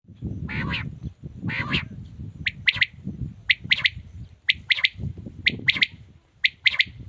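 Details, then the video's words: Male quail calling: two harsh, rasping bursts open, then crisp three-note phrases of sharp, clicking whistles repeat about once a second over a low background rumble. "Amazing quails calling | batair ki zabrdast awaz"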